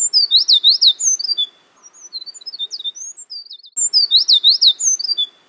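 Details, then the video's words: In forest, a Eurasian wren pours out a loud, high twittering song of rapid trills and sweeping notes, falls briefly quieter with softer scattered chirps, then bursts back into the same fast trilling phrase. "Twitter of a Wren in forest"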